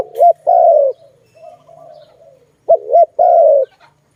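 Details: Zebra dove giving two paired phrases, each a short double-looped coo followed by a drawn-out falling note, with a quieter dove murmuring in the gap.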